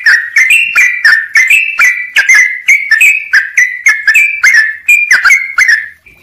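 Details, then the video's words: Energetic Sooty-headed bulbul song for training, with tight gaps: a continuous series of whistled notes, each with a crisp onset, stepping up and down around one pitch about twice a second, ending with a short pause. "trucuk gacor buat masteran jeda rapat full isian"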